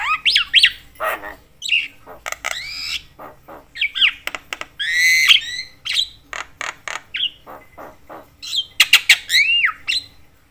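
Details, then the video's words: Javan myna, a very chatty bird whose calls provoke other mynas: a varied jumble of harsh clicks, squawks and short whistled slurs with sharp broadband snaps, delivered in bursts with brief pauses. "jalak kebo gacor BAWEL sekali bunyi bikin semua jenis burung jalak emosi koar koar"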